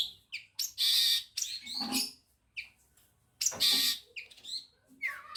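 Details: Madura long-tailed shrike performing an imitative song of ciblek kristal and canary phrases: loud harsh broadband rasps alternating with short high chirps and slurred whistles, with brief silent gaps.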